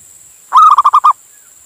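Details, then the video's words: One loud phrase from a male local zebra dove in Indonesia calling a female, a lure recording: a long smooth opening coo followed by four crisp evenly spaced pulses. "Suara Perkutut Jantan Memanggil Betina"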